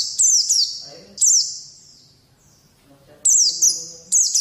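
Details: White-eye song used to make young birds sing: quick high-pitched twittering phrases with falling slurs, delivered in pairs, broken by a quiet lull, with faint low voices or murmurs beneath.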